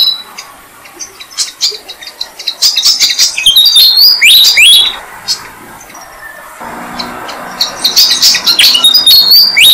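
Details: Malaysian pied fantail family with six-day-old chicks being fed by adults in a jam tree; high, thin squeaky notes and rapid chattering bursts, growing denser and louder in the middle and again near the end.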